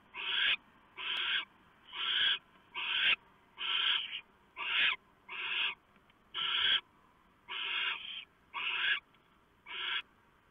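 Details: Barn owl family at the nest around 4 AM in November 2015, the owlets being fed a huge mouse that the male delivered and the female tore apart. Eleven harsh, breathy hisses follow in a steady rapid series, about one per second.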